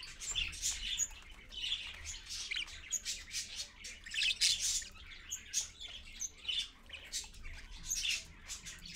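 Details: Parent parakeet with its babies at 6:20 AM: continuous scratchy chattering and squawking in rapid short bursts, a louder stretch around the middle, over a low background hum.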